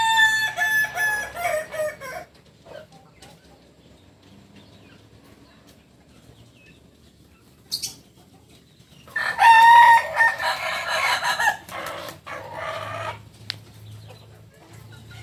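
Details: Kukuak Balenggek rooster from Solok, West Sumatra, a native singing chicken, delivering two loud crows several seconds apart, each a rich harmonic phrase with stepped, broken segments, with a brief flutter between them.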